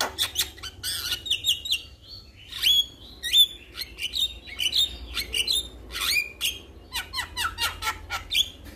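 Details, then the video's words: Male Javan myna calling out to other mynas, which answer straight away: a busy run of sharp chirps, harsh squawks and short rising whistles, several birds overlapping with hardly a pause. "Jalak Kebo Jantan Memanggil KAwan Jalak Yang Dengar Langsung Respon"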